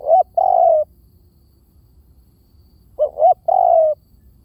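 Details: Spotted dove coo phrases sung as a decoy lure. Two brief rising notes run into a long, level, soft hoot. The phrase is given twice, about three seconds apart, against near silence.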